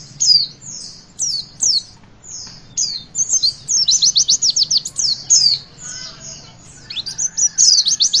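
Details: Singing Javan white-eye, witwit style, used to stimulate young birds: spaced high slurred whistles give way to a quick series of sharp notes mid-way, then more whistles and a final trill. Faint lower chirps.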